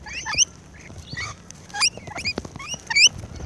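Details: Rainbow lorikeets feeding close up give shrill, squeaky chattering notes, with short high screeches in bursts about every half second to second, over a faint background hiss.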